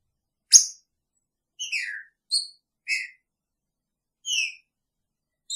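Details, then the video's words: Caged green-winged saltator with its female in the same enclosure, picharro song: a sharp tick followed by evenly spaced whistled notes, a couple gliding downward, all rich in overtones. "Trinca Ferro com sua fêmea!! Picharro"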